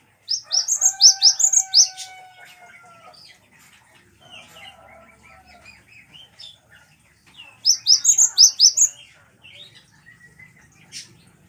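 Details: Cinereous tit song used to train captive birds: two bursts of rapid, high, upslurred chirps about six seconds apart, with a long steady whistled tone and soft twittering between them.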